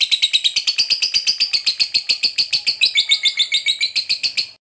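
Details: Long ngekek trill from a lovebird fighter, a prompt song for other lovebirds. Rapid, high, buzzy pulses repeat evenly for over four seconds before stopping abruptly.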